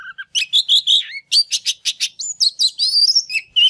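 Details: Oriental magpie-robin in a fired-up, excited state, singing while displaying, used to stimulate silent birds into song: rapid run of clear whistled notes and sharp slurred chirps, mostly high-pitched, delivered in quick bursts with brief pauses.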